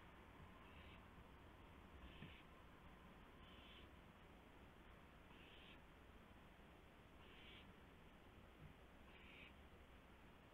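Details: In the night of March 24, 2016, near 1:00 AM, an owl calls at its nest as a gopher is brought in. Six rasping, hissy bursts repeat about every 1.7 seconds over low background noise.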